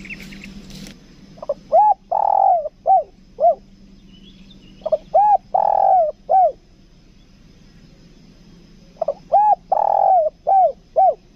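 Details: Spotted dove kept as a lure bird, the kuk dua style, Lombok: three phrases of low hooting coos, each a few short rounded notes around a longer drawn-out coo, separated by pauses of a few seconds.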